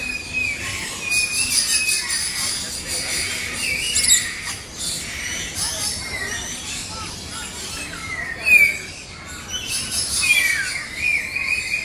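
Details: A flock of lories and lorikeets at Jurong Bird Park, Singapore, keeps up constant chatter of harsh, high screeches and squeals with sharper shrieks standing out, and faint human voices murmuring underneath.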